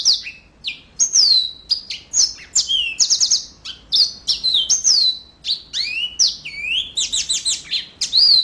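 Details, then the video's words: Energetic gacor song of a yellow-fronted canary: a continuous stream of bright, high whistles, downslurred and upslurred notes and sharp chips, delivered in quick bursts with barely any gaps. "Mozambik Gacor Full"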